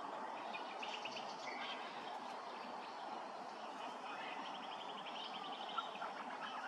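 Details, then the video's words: Grey-crowned babbler at Hervey Bay, Queensland: quick runs of short, evenly spaced chattering notes, one burst early and another near the end, with scattered single notes between, all set against a constant loud background hiss. "Grey-crowned Babbler"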